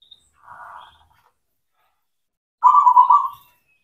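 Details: Local black cemani zebra dove singing as a training lure for mute or reluctant doves: a quiet, muffled coo, then after a gap a loud, clear, pulsing coo phrase lasting under a second.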